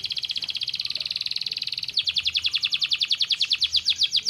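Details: Canary singing to stimulate lazy birds: a sustained high rolling trill that shifts midway into a louder, slower series of pulsed notes, each repeated rapidly.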